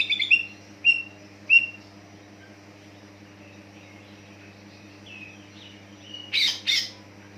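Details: Greater green leafbird song meant to trigger other leafbirds: three bright whistled notes spaced under a second apart, soft twittering, then two loud buzzy bursts near the end.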